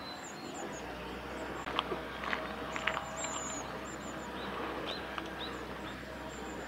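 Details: Long-tailed tits at Kanigaya Park on 10 November 2019 give thin, very high notes in short strings, faint over a steady background hiss, with a few soft clicks and knocks.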